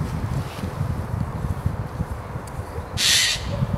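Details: Eurasian jay calling in Christchurch Park by day near a roosting tawny owl, seemingly trying to rouse it; one short, hoarse, tearing screech comes late, after a stretch of low background rumble.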